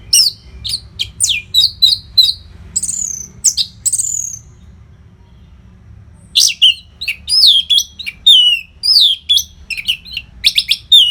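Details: Orange-headed thrush in an energetic training song for contest birds: fast, varied high whistles and sharp notes in dense runs, a brief silence, then a long rich sequence of slurred whistled phrases.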